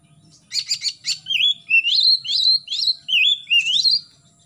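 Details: Morning song of an Oriental magpie-robin, used to get young birds singing: four quick rattling clicks, then a steady series of rising, looping whistled phrases about every half second.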